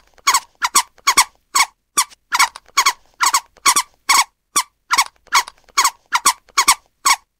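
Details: Scarlet ibis calling in quick, clipped nasal squeaks, singles and doubles, roughly two each second, each note bright and rich in overtones, with a quiet background.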